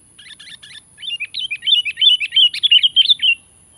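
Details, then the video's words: Sooty-headed bulbul giving a lively challenging call meant to pressure a rival: a short burst of scratchy notes, then a rapid run of bubbly, wavering whistled notes repeated several per second, with a clean quiet background. "Panggilan Gacor menantang menekan lawan"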